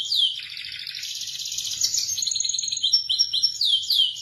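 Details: Indonesian local canary delivering a long rich trill that rolls into quick repeated twittering notes and final swooping whistles, loud and melodious.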